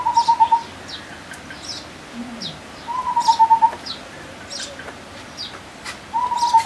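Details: Sri Lanka scimitar babbler, a bird endemic to Sri Lanka, giving three short, hollow, rapidly pulsed bursts on one low pitch about every three seconds, with faint high chirps from other birds.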